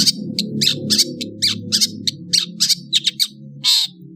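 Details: Indonesian long-tailed bird singing in the afternoon with quick scratchy, squawking chirps over a steady low background murmur, ending in a longer harsh buzzy note.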